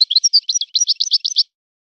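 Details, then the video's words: European goldfinch singing in the style of a known breeder's birds, described as a son of the forest: a quick 1.5-second burst of high, bright twittering notes, closely packed and slightly buzzy, ending abruptly into silence. "طائر من طيور لي تاتغرد على نمط طيور سي حسن الكلوب ولد الغابة"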